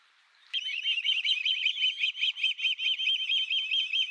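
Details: American osprey giving a rapid, continuous run of high whistled chirps, about two or three per second, rolling on without pause for several seconds after a short quiet start.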